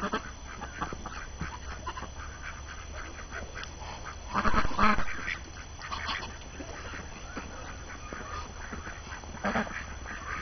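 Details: Hungry ducks let out after being cooped up, on a snowy January morning, chatter in short nasal quacks scattered through the clip, with a loud burst of calling near the middle and another toward the end over low rumbling noise.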